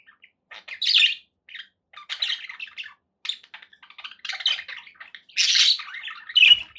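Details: Pet budgerigars giving sparse, clicky chirps and short squeaky notes in scattered groups, rising into a louder scratchy burst of chatter toward the end.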